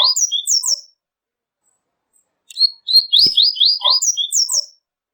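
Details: Coleiro song, the Double-collared Seedeater's call to other coleiros. Loud sharp whistled phrases, a silent gap, then a rapid string of rising slurred notes with a few lower chips, all high and crisp.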